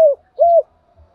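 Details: Spotted dove used as a decoy to draw in wild birds, cooing in calling style: two short, hollow, low coos about a third of a second apart, the second slightly longer and smoothly arched, with a faint thump after.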